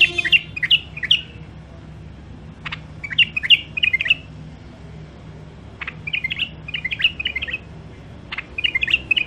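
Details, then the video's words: Wild-caught songbirds held caged for sale, from Mandali, singing clear phrases of short whistled, slurred notes in quick bursts, each burst of three or four notes, with pauses of about a second between bursts and faint low hum beneath. "تغريد مخاليف وحشيه كاع منفذ مندلي طيور نظيفه وصوت صافي"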